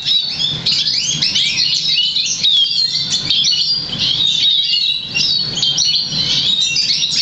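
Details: Black siskin × Russian canary mule, crested and half variegated, trained on European goldfinch notes, delivers a continuous rapid twittering song of high chirps, trills and buzzy slurs over a low background hum.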